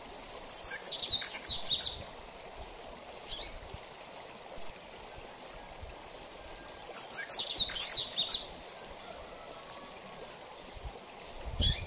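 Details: Double-collared seedeater singing mateiro-style song: two fast, tumbling phrases of high whistled and twittered notes about six seconds apart, separated by a few isolated chips, over a continuous rushing hiss.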